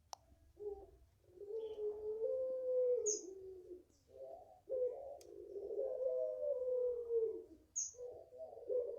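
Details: A five-month-old garden-raised Barbary dove of the puter pelung type gives extended coos. Short throaty notes lead into long, smooth, slightly falling tones, twice in a row, with occasional faint clicks and ticks in the room.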